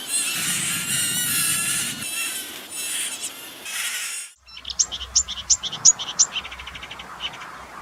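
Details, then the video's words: Marsh warbler singing, its song full of imitations of other birds: a dense scratchy chatter for four seconds, then after a pause a run of sharp high clicking notes. "VARIASI KICAU MARSH WARBLER"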